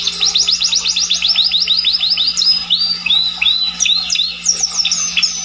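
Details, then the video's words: Scotch Fancy canary singing: a fast series of repeated high rising chirps, followed by varied whistled slurs and bright trills, over a steady low mains hum. "kenari scotch fancy atau kenari SF"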